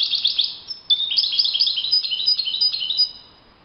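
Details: European goldfinch in the wild sings a sustained, high, tinkling song of rapid chirps, buzzy twitters and short whistled slurs, fading at the end.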